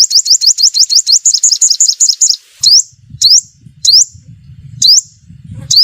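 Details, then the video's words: Sunbird lure call for trapping: a long fast trill of high clipped notes, followed by isolated sharp upswept chirps about a second apart over a low background rumble. "Tiếng chim hút mật mồi gọi bổi"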